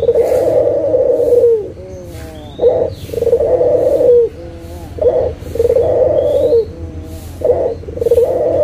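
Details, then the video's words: Local dove (puter) giving low, throaty coos, a long drawn note ending in a short rising flourish, repeated about every two seconds; used as a lure call to prompt quiet doves to sing. "SUARA PIKAT PUTER LOKAL GACOR_SUARA PANCINGAN BURUNG PUTER MALAS BUNYI AGAR BUNYI LAGI"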